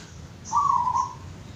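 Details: A caged zebra dove (top-top perkutut), one of three in the cage, gives an unusual, rarely heard note that is not its usual cooing: one drawn-out, slightly wavering hollow note of about half a second, mid-low in pitch, over faint hiss.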